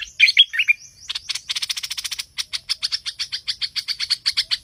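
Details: Streak-eared bulbul calls played as a lure for trapping: a few sharp high chirps, then a rapid series of short, dry, buzzy chirps repeated about four to five times per second.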